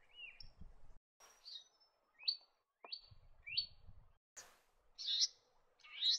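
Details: Leaden Flycatcher, a species of dry eastern and northern Australian forest canopy, giving sharp upslurred whistled notes about once a second, then harsher buzzy rasps; faint low rumbling underneath.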